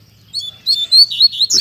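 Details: Caged Double-collared seedeater, a Mack-style singer, shown off while singing strongly: short phrase of high whistled and buzzy notes, about five bursts in quick succession, ending in a rougher sweep.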